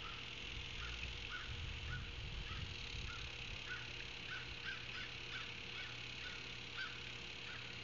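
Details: Ospreys at a nest in Savannah, picked up by a nest camera on 9 August 2023 at 16:05; short whistled chirps repeated in loose runs, about two per second, over a steady background hum and low rumble.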